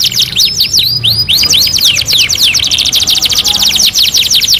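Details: Canary masteran song, two in one: bouncing, arched whistled notes in quick succession merging into a dense, continuous rapid trill, high and loud.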